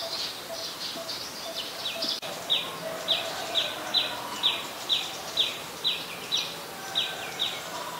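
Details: Rapid series of short, high, clipped notes, about two per second, from an adult Common Tailorbird in Ubon Ratchathani, Thailand, 11 April 2022, softer and more distant, with faint background bird chatter.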